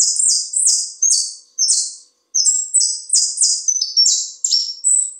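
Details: Saffron finch from Buenos Aires, Argentina, in song: fast, high, buzzy phrases with sharp downslurred whistles, nearly continuous apart from one short gap.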